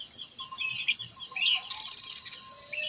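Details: Chirped, warbled bird notes from a laughingthrush sung at varied pitch, with a fast run of evenly repeated high pulsed notes in the middle, over a steady faint background tone and insect-like hiss.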